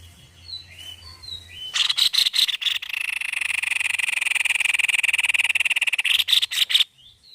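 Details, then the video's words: White-necked babbler singing energetically: faint whistles, then loud rasping pulses flowing into a long steady buzzing trill, closing with another burst of harsh chatter. "GACOR PARAH BURUNG TEPUS LEHER PUTIH"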